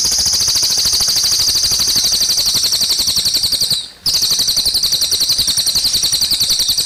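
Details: Cililin bird song with gurgling water: loud, quick, high notes repeated in a dense rattling stream, broken by a single brief pause midway before resuming at the same pace.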